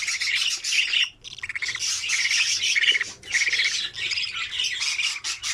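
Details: Budgerigar nestlings, feeding each other in their opened nest, utter harsh, wheezy squawks in rolling waves, with a brief hush after the first second.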